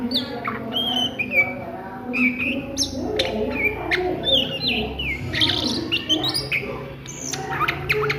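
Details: Oriental magpie-robin singing at midday in the ngriwik style: a rapid, varied run of bright whistles, sharp chirps and falling slurred notes, close together, over a low steady background hum.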